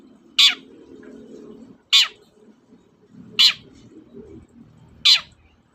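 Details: Long-tailed shrike used as a lure to stimulate a reluctant shrike: four loud, rasping, downward-sliding notes about 1.5 seconds apart, over a low murmuring background.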